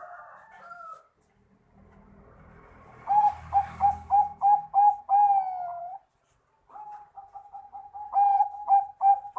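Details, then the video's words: Singing Bangkok-strain zebra dove, played to stir quiet doves into replying: a short drawn note, a pause with soft rustling, then quick bursts of clipped whistled coos, a longer sliding note, silence, and another rapid staccato series. "Kutut bangkok manggung gacor !! Bikin perkutut malas bunyi cepat nyaut"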